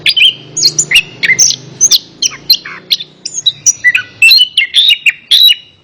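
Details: Song of orange-headed thrush meant to get a reluctant caged bird singing: lively string of varied whistled phrases, many sliding downward, with brief chips between, fast and continuous.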